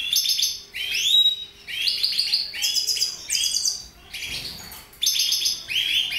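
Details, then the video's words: Rapid, jangling twitter phrases from mutation goldfinches, with repeated rising sweeps and buzzy trills in several bursts separated by short gaps. "Mutation Goldfinches"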